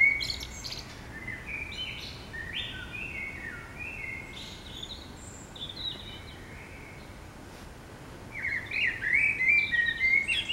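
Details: Urban common blackbird in morning song: a loud opening of fluted, warbling notes, a long stretch of softer, scattered high twitters, then a burst of rapid, rich warbling phrases at the close, all over a constant low hum.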